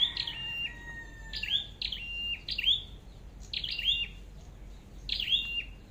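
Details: Decoy flowerpecker, described as red-headed, in a bird-trapping setting: bright, high tsip notes with falling thin tails, repeated in pairs and small clusters at irregular intervals against a quiet background.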